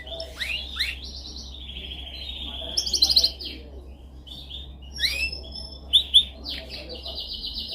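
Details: Dominant canary song used for training birds: high whistled notes sliding down and up, drawn-out rolling tours and a few sharp bright chips, with a faint low hum beneath.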